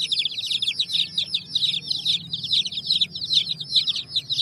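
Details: Baby chicks near a hen on raw bricks give fast, high-pitched peeps, roughly two per second per bird, merging into a bright continuous twitter over a faint low hum.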